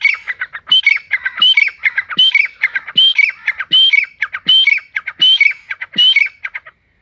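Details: Partridge calling in a forest: loud, harsh, rapid phrases of clipped notes with a ringing high whistle, repeated about every three-quarters of a second throughout, with no other sounds.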